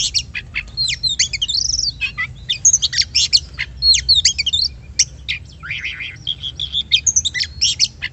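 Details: Song of an Oriental magpie-robin, meant as a lure that provokes other birds to sing: bright rising and falling whistles, scratchy chips and a brief buzzy rattle, delivered in quick continuous bursts with a low background drone.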